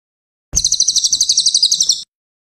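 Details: A single bright, fast trill from a cililin, recorded as masteran material for training songbirds: around fourteen quick, high notes in about one and a half seconds, clean and level.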